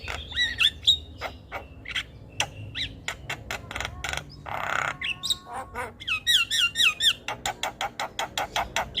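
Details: Javan myna singing tirelessly on a training recording for other birds: harsh clicks and rasping squawks, a burst of noisy chatter, then a repeated looping whistle followed by a steady series of sharp clicks.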